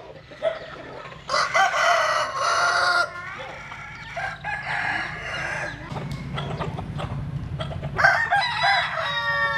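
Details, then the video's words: Sunbathing Jap Cuban bantam chickens in the rural west. Several harsh, harmonic crows come in bursts with short pauses. A low rumble swells midway, and another crow rises near the end. "Gà Tre Jap Cuban Tắm Nắng. Gà Gáy/ Chicken Bamboo Jap Cuban Sunbathing. Crow"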